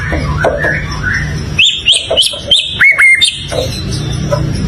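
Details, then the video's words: A White-rumped shama repeating short, sharp upslurred whistles about every third of a second, followed by a pair of lower notes, over a soft low hum. "เสียงนกกางเขนดง ร้องดีสุดๆ"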